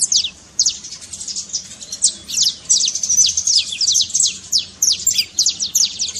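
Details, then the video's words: Saffron finch trincado, sung to wake a quiet canary into singing: steady, rapid, high downslurred chirps, about three per second, in an almost continuous chatter. "trincado pra foguea seu canário frio"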